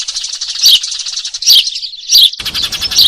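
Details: Eurasian tree sparrow chirps used as a trapping lure: four loud, high, downward chirps spaced under a second apart over a buzzing, chattering chorus.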